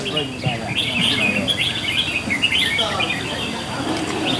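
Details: Red-whiskered bulbuls at a northern Vietnam singing contest, Sông Lô district, 6 May 2023: several birds sing at once with bright, bubbly chirps and short warbled phrases, fast and overlapping, with low voices talking underneath.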